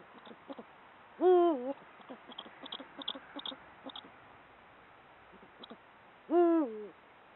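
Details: Eurasian eagle-owl male in the breeding season, calling from its perches to hold territory. Two deep, two-part hoots come about five seconds apart, each a level low note falling into a softer ending. Faint clicks and higher chirps are heard between them.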